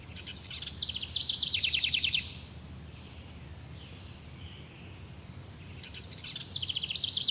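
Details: Bird chirping in two quick bursts of high, rapid twittering notes, each about a second long and separated by a quiet gap with faint distant chirps, over low background noise.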